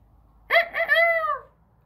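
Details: A miniature Old English bantam rooster, newly acquired, on a snowy day, gives a single short, thin, squeaky, high-pitched crow lasting about a second, broken at the start and then drawn out.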